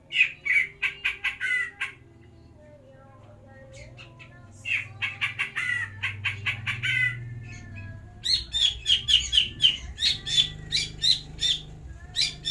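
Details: Captive greater green leafbirds being paired for breeding: dense volleys of sharp, high chirps and squeaky notes, a brief quieter gap, then a fast, excited series of ringing chirps over a low background hum.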